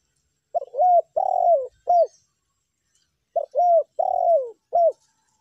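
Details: Spotted dove lure recording of tekukur calls in meratus and melambung styles: two matching coo phrases, each a short note, a rising-falling coo, a long sliding coo and a final hooked note, separated by about two seconds of silence.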